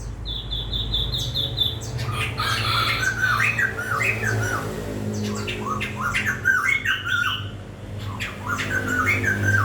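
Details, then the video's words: Songbird singing amid room noise: a rapid series of high, even whistled notes, then tumbling chirps and squeaky phrases, repeated bursts over a steady low hum. "Tiếng chim hót hay"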